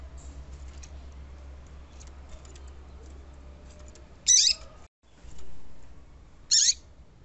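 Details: A female double-collared seedeater (papa-capim) call, played to make males sing, gives two brief, sharp high calls about two seconds apart over a steady low hum and faint chirps.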